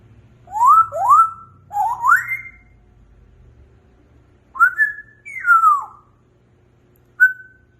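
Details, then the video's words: African grey parrot giving clear whistled notes: two quick rising slides, a third longer rising whistle, then after a pause a rising note, a falling glide and a short steady final whistle, with a faint low hum beneath. "Talking African Grey Parrot"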